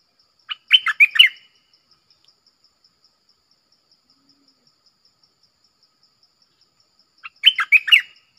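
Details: Red-whiskered bulbul in a clear doubled-style song: two quick bursts of liquid, warbled whistled notes about six seconds apart. A soft, steady insect pulse ticks beneath them.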